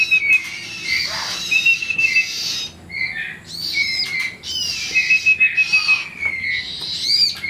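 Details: Young bar-winged prinias begging while being fed: sharp, high chirps in uneven clusters, some rising and falling, over a continuous faint whistling tone.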